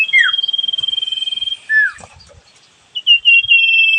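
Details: Sooty-headed bulbul, known as sirfu, singing: a rapid pulsed whistle trill, a clear downslurred note, a pause, then quick bright whistled chips running into another trill.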